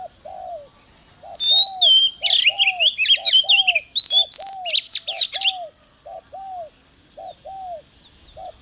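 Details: Oriental magpie-robin morning song, used for training birds to sing fiercely: bursts of rich whistled and slurred phrases in the middle of the recording. A low arched note repeats steadily underneath, and a constant high steady tone runs throughout.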